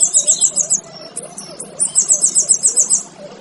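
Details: Two bursts of shrill, rapid trilling from a male kinoy, for use in training other birds, with clipped chips between them and a faint low hum behind.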